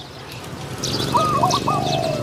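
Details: Spotted dove cooing at a decoy trapping site where a caged bird lures a wild dove of medium-pitched voice; a brief stepped coo phrase rising from a quiet start, with faint twittering of small birds above.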